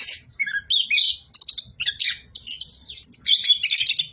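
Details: Non-stop song of an Orange-headed thrush: quick varied phrases mixing clear whistles, rising and falling slurs and harsh high chatters, packed closely with few pauses.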